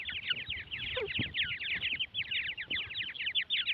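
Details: Francolin chicks, several together, giving dense, rapid high-pitched peeping, short chirps overlapping almost continuously with faint soft thumps beneath.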